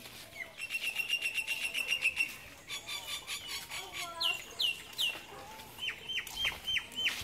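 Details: A bird singing in Mauritius: a long run of rapid high notes, then sharp whistled upslurs and downslurs repeated several times a second, with a busy chorus of other birds behind.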